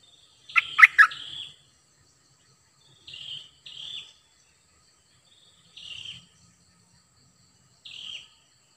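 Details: Cream-vented bulbul decoy bird: an opening loud cluster of sharp chirps followed by single short downslurred whistles spaced about two seconds apart, quiet between notes.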